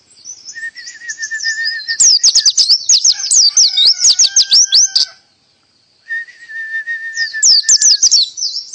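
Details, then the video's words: Canary singing in the pleci style with full tembakan bursts. Loud, high rapid upsweeping notes and trills ride over a steady lower whistled tone. The song breaks off near five seconds, falls silent for a second, then resumes with the same pattern. "Pleci Full Tembakan kenari canary"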